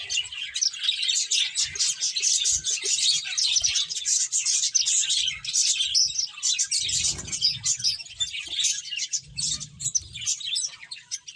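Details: A flock of finches at play fills the air with steady, overlapping high chirps. The twittering stays continuous from start to finish, with a few muffled low bumps later on.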